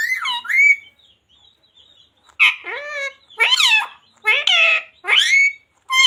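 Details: Talking parrot indoors mimicking human words, from a recording featuring phrases like radhe radhe, jai shree ram, sita ram and mummy papa; a rising whistled note, then a pause, then several short speech-like syllables with bright harmonics.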